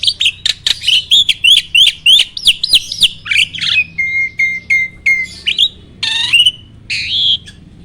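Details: Starling song for training other birds: a series of loud rising whistled notes about three per second, then steady high flat whistles, and a buzzy harmonic squawk near the end.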